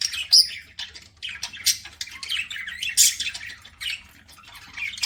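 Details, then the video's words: Pet budgerigars chirping while eating: a busy, continuous mix of scratchy squawks, short high chirps and warbled notes overlapping throughout, with soft low background hum. "PARAKEET EATING SOUNDS"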